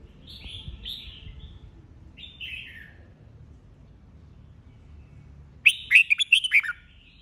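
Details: Red-whiskered bulbul in competitive song: a few short, warbled, downslurred phrases with pauses between, then a loud, rapid burst of bright chirping notes near the end.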